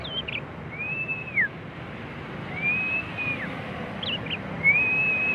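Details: Young prinia learning to sing: drawn-out whistled notes near one pitch, each ending in a quick downward slur, three phrases in about five seconds, with brief chirps between, over a steady low background rumble.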